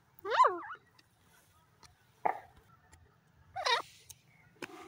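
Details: Grey francolin in a forest giving a few scattered calls: a wavering, nasal note, then short, rough calls spaced more than a second apart, with faint low background rumble.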